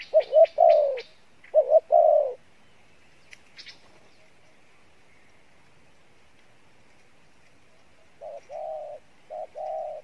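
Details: Spotted dove cooing in the Pha Bài Lối style. Two bursts of mellow wavering coos come first, then a long quiet gap, then softer coos near the end. Brief high chirps of other birds are heard.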